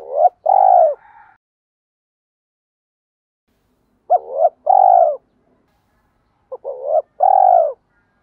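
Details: Spotted dove coos, male and female, played to encourage cooing: three soft, deep phrases in eight seconds, each a clipped note, a wavering note and a sustained coo, with quiet gaps between.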